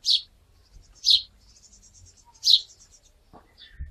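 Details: Sparrow in the Wittlicher Tal during 2017, three bright, harsh chirps roughly every 1.2 seconds, with faint thin twittering between them and a soft knock near the end.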